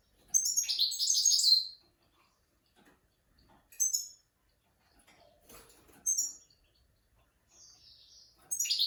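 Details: Goldfinch tutor song for teaching young goldfinches and mules: a long high twittering, tinkling phrase, then short bright bursts of chirps spaced a few seconds apart, ending with another trilled phrase; quiet background.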